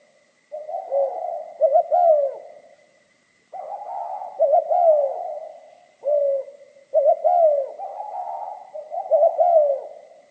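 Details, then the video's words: Spotted dove song in the mixed 'kim' voice style: repeated low phrases of quick double coos and a drawn-out falling coo, separated by burring passages and short pauses, about four phrases in ten seconds. "Tiếng chim cu gáy giọng pha kim mới hay"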